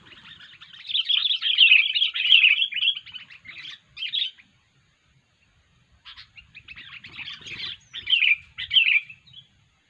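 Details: Unusual calls of a sooty-headed bulbul, used as a lure: a long, dense stretch of scratchy, warbling chatter, a pause of about two seconds, then more broken chirping phrases.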